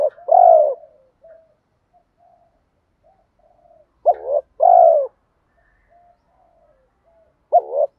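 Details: Decoy cooing of a spotted dove: a long falling coo, scattered soft murmured notes, then a stuttered double coo and drawn-out descending coo, with another phrase beginning at the close.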